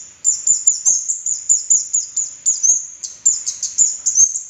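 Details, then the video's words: Red-headed kemade bird singing as lure audio meant to prompt quiet kemade and to train young kemade. Continuous very high twittering made of quick chirped notes, several per second, in steady pulsing bursts with one short gap. "SUARA PANCINGAN BURUNG KEMADE KEPALA MERAH"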